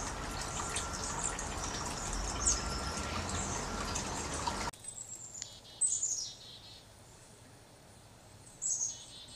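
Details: Black-capped chickadee calls: after a rushing, watery background fades, short, thin, very high chirps and descending whistled notes come in brief clusters, with quiet gaps between them.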